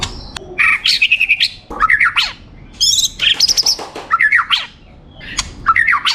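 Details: Champion competition white-rumped shama delivering loud, buzzy, stuttering phrases, each a rapid run of harsh repeated notes, separated by short pauses.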